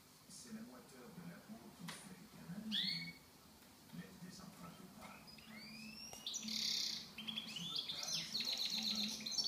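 A goldfinch mule sings bright, high twittering phrases with upswept whistles and quick tinkling trills, broken by short pauses, over a low steady hum.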